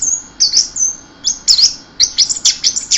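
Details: Very high, thin whistles and twittering notes from an orange-headed thrush, quick and jumbled, about three seconds of the 'keserr' style song.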